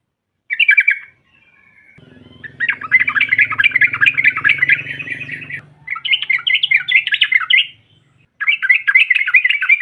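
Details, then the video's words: Several dense bursts of quick, buzzy bubbling chatter from a female yellow-vented bulbul aimed at provoking rivals, with a low droning noise under the middle section. "SEKALI PUTAR SEMUA TRUCUKAN NYAUT NGROPEL Seketika"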